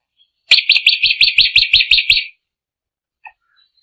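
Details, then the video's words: A drongo delivers a single rapid series of about ten crisp, repeated chattering notes lasting under two seconds, followed by silence and one faint note. "kicau burung srigunting"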